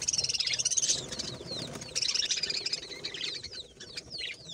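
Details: Budgerigars warble busily: a dense, high-pitched wash of scratchy chirps and quick rising and falling tweets, loudest at the start, easing off slightly toward the end.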